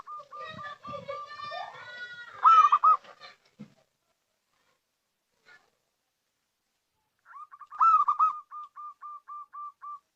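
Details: Local zebra dove, used as lure call. Repeated short cooing notes and a loud rolling phrase, overlaid at first by other tonal chatter. After a silent pause comes another rolling coo with a trailing series of clipped notes.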